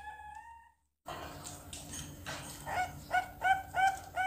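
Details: Captive Bangkok zebra dove chick, two months old and learning its song, delivers five brief, slightly rising cooing notes in quick succession after a stretch of faint rustling and a low hum.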